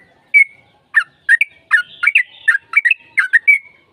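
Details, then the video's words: Lively yellow-vented bulbul lure song to prompt a quick answer from another bird: a whistled opening note, then a bouncy string of liquid, bubbling chortles delivered in a rapid, rollicking rhythm. "PANCINGAN TRUCUKAN AGAR CEPAT BUNYI Trucukan gacor TARUNG ropel panjang JADIKAN BURUNG TRUCUK NYAUT"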